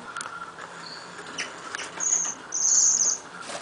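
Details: Nuthatch calling: a few faint short notes, then two loud, high, buzzy trilled bursts close together near the end, over a steady background hiss.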